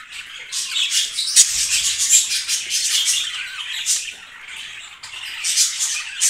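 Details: Steady high, raspy chattering from a yellow, blue and green budgerigar breeding pair, irregular squawky notes running almost without a break.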